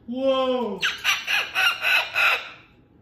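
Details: Pet cockatoo giving a smooth rising-falling tone, then five harsh, raspy screeches in quick succession, with a person talking to it nearby.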